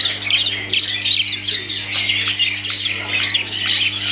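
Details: Long-tailed shrike in private keeping, singing quick repeated chirps and scratchy twittering phrases, about two notes a second, with a steady low hum underneath.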